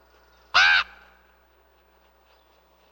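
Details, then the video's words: Raven giving a single short, harsh call after quiet background hum, followed by silence. "What does a Raven sound like?"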